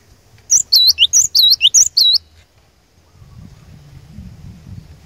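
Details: Gelatik batu (cinereous tit) used to make rivals sing, delivering a short burst of five or six piercing two-note whistles, followed by low background rumble.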